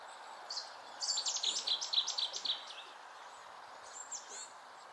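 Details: A Cetti's warbler, hidden in riverside willows near egrets and a swamphen, bursts into its powerful song, a loud, explosive run of about a dozen sharp, high notes over a second and a half, against a steady background hiss.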